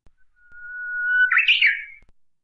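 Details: Japanese bush warbler singing: a long, steady, pure whistled note that slowly swells in volume, then breaks into a bright, higher, warbling flourish before fading; quiet background.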